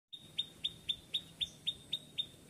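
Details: Ciklak bird in a lush rural Sundanese village garden with climbing bean plants gives a quick series of about eight sharp, high chip notes, roughly four per second, over a faint low background hum.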